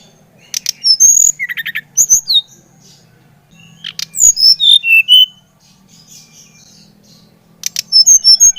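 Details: Brown-chested jungle flycatcher song used to stimulate another bird to sing: clusters of high, thin whistles and sliding notes in bursts separated by short pauses, with a faint low hum underneath.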